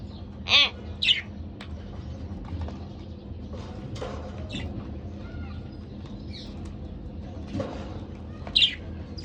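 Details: Pet pair of budgerigars: a few short, loud harmonic squawks near the start and one more near the end, with faint chatter and steady low background hum between.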